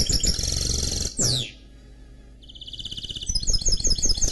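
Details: Mule bird from a canary crossed with a goldfinch, singing a dense high warble, a sharp downward sweep, a quiet gap, then an even rattling trill and quick ringing chirps.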